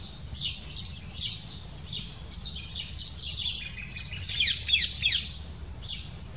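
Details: Black kite nest where the female arrives with small prey and feeds the chicks for a few minutes; thin, high squeaky chirps come in quick irregular bursts, some rising and falling, over a steady low rumble of background noise.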